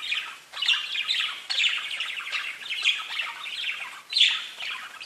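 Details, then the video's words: Several parakeets chirp and chatter together, singing to each other to show they are safe and content; a dense, steady stream of high scratchy chirps, squawks and warbles with frequent sharp accents. "Parakeets Bird Chirping and talking to each other"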